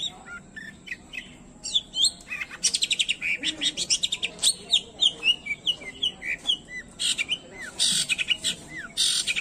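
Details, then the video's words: Long-tailed shrike singing, original and unedited, meant to rouse silent or stressed shrikes: quick buzzy trills alternating with clear rising and falling whistled notes, bursts every half second, plus a faint steady high tone. "banyak cendet emosi dengar kicauannya"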